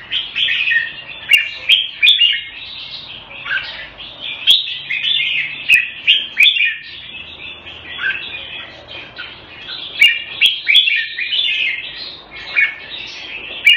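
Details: Red-whiskered bulbul in a cage in Singapore, kept Thai style, February 2018, pouring out a steady stream of warbled whistled phrases, loud flourishes every few seconds, with occasional sharp clicks and a faint low hum.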